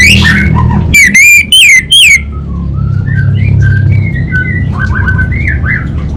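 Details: Anis bata, the orange-headed thrush, from Singaraja, Bali: three strong wavering whistles follow an opening chirp, then a quieter stream of short warbled notes continues to the end over a low hum.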